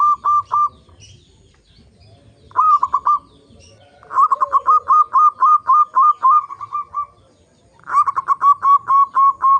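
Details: Lure song of a local zebra dove, intended to make other zebra doves sing: bursts of rapid, evenly spaced cooing notes, each run opening with a rising note, separated by short pauses.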